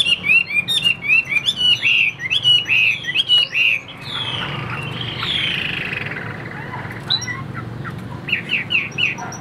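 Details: Chinese hwamei in a cage gives bright, wavering whistled phrases for about four seconds. A stretch of hissing noise follows, then a few short, sharp notes near the end.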